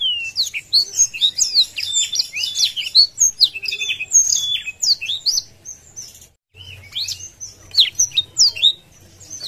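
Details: Caged Blackthroat singing energetically with wings open to stir up rivals: a crowded run of high twittering notes and sharp chirps, a short silent gap, then more piercing whistled phrases.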